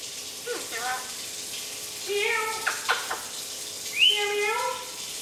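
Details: A one-year-old male pet Eclectus parrot clucking like a chicken: a run of short, mid-pitched harmonic clucks, some sliding slightly upward, then a brief higher rising note before a final cluck. The room is otherwise quiet.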